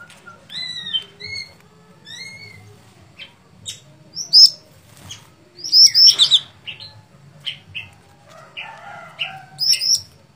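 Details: Sooty-headed bulbul singing in a lively, fighting style: short whistled notes rising and falling between mid and high pitch, in scattered bursts with sharp high chirps, some brief pauses between phrases and a low hum beneath.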